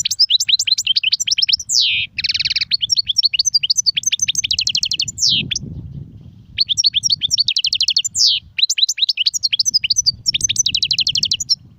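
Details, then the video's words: European goldfinch song in styles called serfati, guezrati and tserseer: rapid, bright twittering of high tinkling notes mixed with buzzy trills and sharp downslurred whistles, almost continuous apart from a short pause near nine seconds, over a faint low rumble. "صوت طائر الحسون نار 🔥🔥🔥 ( سرفاتي, ڨزراتي,ت سرسير )"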